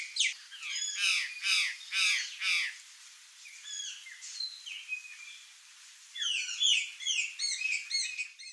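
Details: Curl-crested Jay, gralha-do-campo, free in the wild in Brazil, giving a run of loud grating calls about twice per second, then varied whistled and chattering notes, with a second lively burst of mixed calls near the end.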